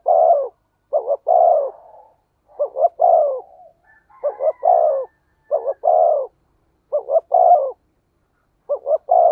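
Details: Spotted dove with 'thổ sấm' thunder-like voice, a lure to stir other doves: about seven deep coo phrases in a row, two or three quick notes before each long drawn coo, irregular gaps.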